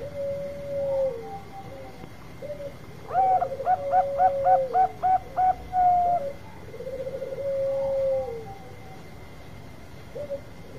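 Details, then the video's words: Long provoking song of a Bangkok zebra dove: a trilled coo, then a burst of about nine rapid hooked coo notes, followed by further long trembling coos that trail downward. A faint constant high whine continues. "Perkutut Bangkok Suara Panjang Cocok Buat Pancingan"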